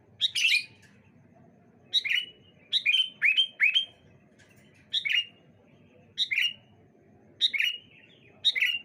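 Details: Sooty-headed bulbuls trading phrases on a bright morning: short bubbly phrases repeat about every second, each a sharp high note falling into a slurred, liquid whistle, sometimes doubled or tripled in quick succession, over faint low background noise.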